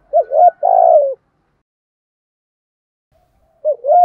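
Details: Spotted dove coo used to lure other doves: one full phrase of a quick two-note coo running into a longer, throaty, falling note, then a long silence before the next phrase begins at the end.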